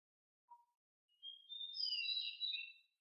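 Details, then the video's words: Pied bushchat, described as very agile and very noisy, singing in a rolling style: one quiet, high, warbled phrase of about two seconds, after a single faint low note, in silence. "DECU sangat gesit suara sangat berisik"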